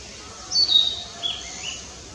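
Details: Narcissus flycatcher singing in Fuchu, Tokyo, Japan, on 4 May 2017, recorded with a compact camera: a brief high whistled phrase of a few clear notes with a short separate note after, over steady background hiss.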